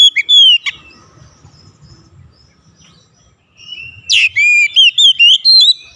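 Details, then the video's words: Song of an Oriental magpie-robin, meant to stir other magpie-robins into singing. A clear whistled note opens, then a near-silent pause, then a sharp downward-swept note leads into a string of bright, bouncing whistles. "APAPUN JENIS KACER PASTI TERPANCING LANGSUNG IKUT GACOR"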